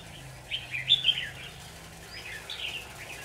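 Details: Decoy Red-whiskered bulbul in a trap cage, singing to attract wild birds. A loud, rapid run of sweet warbled notes is followed by a quieter, rising phrase and a few soft chirps, with light background hum.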